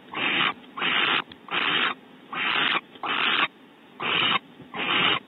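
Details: Barn owls at Starr Ranch, California, during a bonding visit as the male fetches prey from a pantry for the female; harsh, breathy hissing bursts of about half a second, repeated roughly every three-quarters of a second, seven times.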